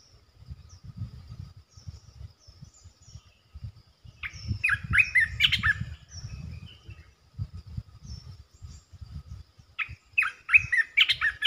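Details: Resident territory-holding red-eyed bulbul gives two bursts of lively, jumbled chirping notes, a few seconds apart, over a steady low thumping rumble.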